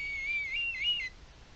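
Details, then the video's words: Perched red kite in Spain, January 2023, sounding a high wavering whistle that dips and rises in a few quavers before stopping, then quiet rural background. "La llamada del milano real"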